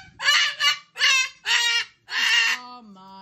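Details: An umbrella cockatoo throwing a tantrum gives five harsh, raspy screams in quick succession, each loud and broad, about half a second apart, ending in a quieter low tone.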